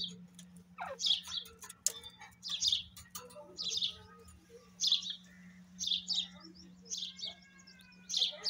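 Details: Female grey francolin giving repeated harsh, high, grating call notes, roughly one a second, with a steady low electrical hum beneath and a few faint clicks.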